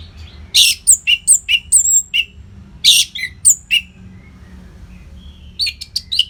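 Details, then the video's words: Orange-headed thrush, a training song for competition birds, from northern Bali: loud harsh buzzy bursts mixed with sharp whistled notes in rapid, irregular series, a short pause, then a few more high chips. "SUARA MASTERAN ANIS MERAH GACOR RAPET NO JEDA INI UNTUK MELATIH FIGTHER BURUNG AGAR SELALU FIT"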